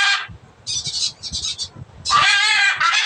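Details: Blue-and-yellow macaw calling noisily: three loud, harsh, raspy squawks, a short one at the start, a broken middle burst in three pieces, and a longer grating call at the end, with a low background rumble.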